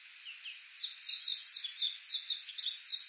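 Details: Japanese bush warblers at Kuga on Suo-Oshima island, Japan, along Uguisu Road near Mt. Yakushi, Olympus Voice-Trek V-82 recording: a brisk stream of sharp high notes, roughly three to four per second, uneven in spacing.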